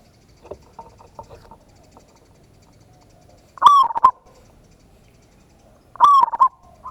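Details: Local zebra dove lure song, ngayer kerot nutut style, to provoke other birds: soft rapid clicking notes early on, then two loud stuttered cooing phrases about two and a half seconds apart.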